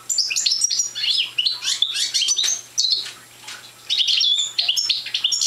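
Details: A young European goldfinch of the Parva race, still short of full song, twitters rapidly in tinkling high phrases, with one clear pause midway before another burst.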